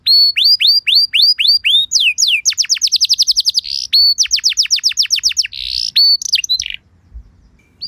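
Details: Luxurious canary lure song to provoke other canaries to sing: evenly repeated hooked whistles, then fast runs of descending syllables with short buzzy bursts, fading out near the end.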